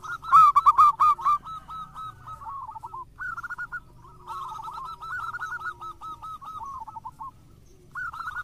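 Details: Local zebra dove singing persistently, a lure recording: a loud opening trill of coos, then several softer rolling phrases of quick coo notes with short gaps between them.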